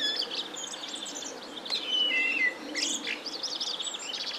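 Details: A common blackbird (Turdus merula), singing from a pine top on a warm spring evening, gives mellow, fluting whistles sliding downward, then a thin, squeaky twitter ending the phrase, with faint rural background.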